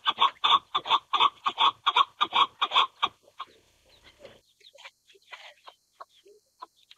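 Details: Chukar partridge, Alectoris chukar, giving a loud run of harsh, clucking chuk notes about four per second for three seconds, then fading into softer scattered clucks and faint chatter.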